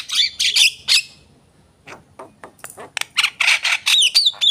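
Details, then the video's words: Lively song of a Javan myna: three loud rasping squawks, a short pause, then soft ticks rising into a fast jumble of scratchy notes and descending whistles. "jalak kebo gacor"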